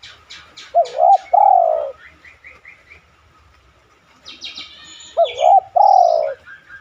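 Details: A spotted dove cooing twice, played as a lure so other doves answer. Each phrase is two short notes then a longer descending coo. Small birds chirp and twitter in between.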